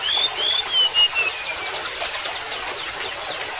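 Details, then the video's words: Golden-bellied gerygone, known locally as remetuk laut, singing a thin high whistle that drops in steps, then a sustained high note sliding slowly lower, over steady trickling water. "SUARA BURUNG REMETUK LAUT"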